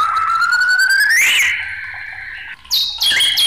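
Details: White-rumped shama in an agitated song: a long, pure whistle that rises slowly and then sweeps up sharply, followed by a steady held tone and two bright, high, abrupt notes.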